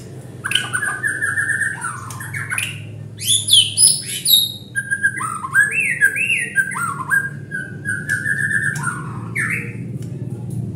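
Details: White-rumped shama lure song meant to draw out other singers: rich whistled phrases, sliding notes and quick trills, some rising sharply, over a steady low hum.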